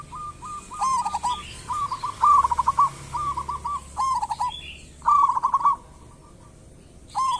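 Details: Local zebra dove lure recording: a busy run of short stuttered cooing phrases, some loud and beaded, others soft and distant, suggesting several doves calling in turn, then a pause before one more burst.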